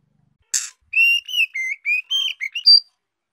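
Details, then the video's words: Young female White-rumped shama singing to stimulate males: one rasping note, then a steady string of about eight clear whistles, ending on a higher, pure tone. "Tiếng chòe lửa mái non hót kích trống hiệu quả"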